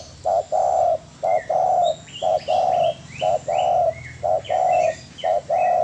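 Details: Spotted dove master song: rhythmic paired coos, short note then long even coo, repeated regularly about once a second, under continuous high, rising chirps from other small birds.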